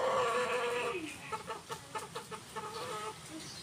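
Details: Kept Indonesian village chickens (ayam kampung): a loud drawn-out falling squawk opens, followed by soft short clucks repeated roughly three to four times a second, fading toward the end.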